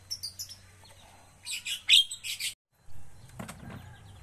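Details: Javan myna being trained toward fluent song: several short harsh, scratchy bursts, then a cluster of louder rasping notes, a brief silence, and a final lower, rougher buzz, with a faint hum behind.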